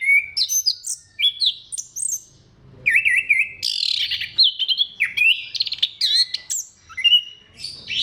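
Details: Clear, lively orange-headed thrush song played as a lure for other thrushes: loud, varied high phrases of looping whistles, wavering trills and rapid chips, delivered almost without pause over about eight seconds.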